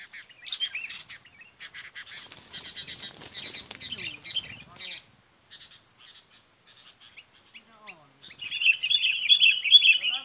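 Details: Sooty-headed bulbul, a fighting male being lured and challenged: short bursts of bright chattering notes at the start, then a louder, dense warbling run near the end, over a steady high insect drone.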